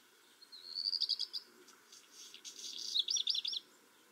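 Black redstart song: a thin, high warbled opening, then a dry scratchy crackle, ending in a quick jangling flourish, all in about three seconds.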